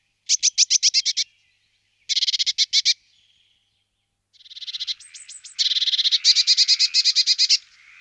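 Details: Eurasian blue tit giving harsh, rapid buzzy bursts, two short churring rattles followed after a pause by a longer, louder stuttering series of high chattering notes.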